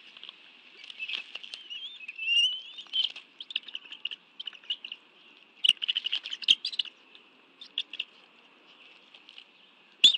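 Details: At a Bald eagle nest in the National Arboretum, Washington, D.C., 11 June 2017, during a fish meal with two adults and two young: scattered short squeaky chirps with one rising whistled note, quieter gaps and clicking rustles between.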